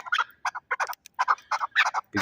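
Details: Fighting chukar partridge from Shahritus, Tajikistan, giving short harsh clucking notes in uneven bursts of two or three, with brief gaps between them.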